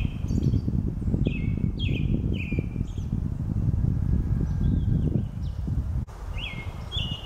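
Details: Male and female Brown-headed nuthatches bringing food to chicks, female entering on every visit, Lafayette County, Mississippi, sunny and cool with light breeze, April 9, 2020; repeated high squeaky notes in short clusters over steady low rumble.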